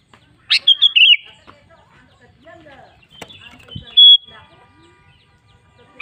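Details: Sooty-headed bulbul (kutilang) singing as a lure to set other bulbuls singing: a quick bubbly phrase of several warbled notes, later a single sustained high whistle, a sharp click and faint chatter between.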